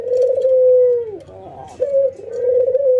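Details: Ringneck doves, a white albino and a local bird, in routine training while nodding and laughing: a short rolling burst followed by a long, even, low coo that slides down at its end, then a second rolling coo begins.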